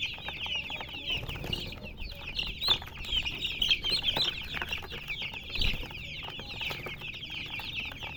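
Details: Crowd of baby chickens peeping nonstop, high thin chirps packed tightly together, growing busier and brighter in the middle, with a few soft low thumps underneath.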